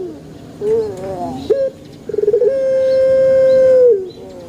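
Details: Male dove's call, played to set other birds cooing: a few soft, wavering notes, a short coo, then a rolling start leading into a long, level, sustained coo of nearly two seconds.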